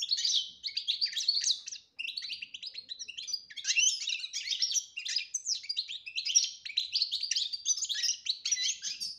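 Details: Goldfinch singing the betbeta style with clean whistled phrases, used for training a silent goldfinch; an almost unbroken stream of fast, liquid twitters and chirps, slight pause near two seconds, clean background.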